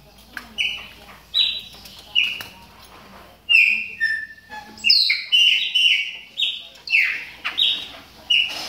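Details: A moulting Chopi blackbird warming up gives varied whistled call notes, sparse at first, then a busier stretch of overlapping bright notes.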